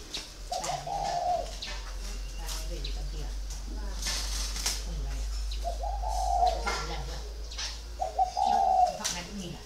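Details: Spotted dove kept caged for four years coos in short, low, even phrases spaced several seconds apart, while people talk nearby and bumps and rustles are heard.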